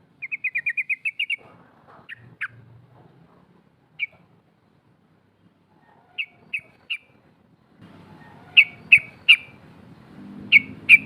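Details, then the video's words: Female sooty-headed bulbul giving a 'cok cok' rolling call meant to draw rivals: an opening burst of rapid, even chattering notes, then isolated sharp chips spaced a second or more apart, with soft background hum near the end. "SUARA TRUCUK BETINA NGEROL COK COK MEMANGIL LAWAN"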